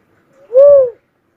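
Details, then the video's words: Cuckoo-dove giving a single soft, hollow coo that swells and fades, arched slightly in pitch and lasting about half a second, with a faint lead-in note before it and otherwise silent surroundings. "suara burung uncal asli"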